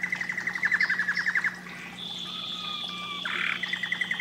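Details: Canary song meant to stimulate breeding, heard farther off over a noisy background: a quick pulsed trill, long level whistles, a rough buzzy note, then the trill resumes.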